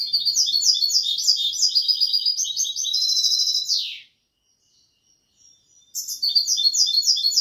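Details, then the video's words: Singing European goldfinch, Malaga copla style: rapid high chattering phrases and trills ending in a downward slurred note near four seconds, silence, then the lively tinkling twitter resumes. "تغريد الحسون كوبية ملقا canto chardonnert"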